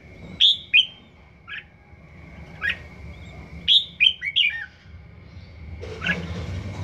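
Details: Young red-whiskered bulbul in its first season, practising its song a lot, giving short, bright, liquid whistled phrases in quick bursts, with a steady high electronic tone and low background hum.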